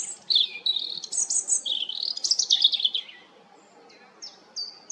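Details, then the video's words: European robin singing a rapid, varied phrase of thin, high twittering and trilled notes that slide up and down, then a pause followed by a few short, high, clear whistles; quiet background. "roodborst zang малиновка robin Rotkehlchen rouge-gorge"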